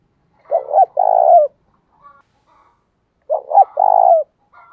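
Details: Spotted dove cooing in the 'thổ' voice mixed with fight-provoking 'thúc đấu' style, used to stir long-lazy wild-caught doves into cooing: two loud phrases, each a short double note then a longer throbbing coo, about three seconds apart.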